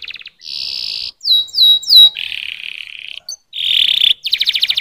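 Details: Canary in full song: a short pulsed opening, a steady buzzy trill, three bright downslurred whistles, a long lower roll, a clipped note, then a fast rattling trill and pulsed ending.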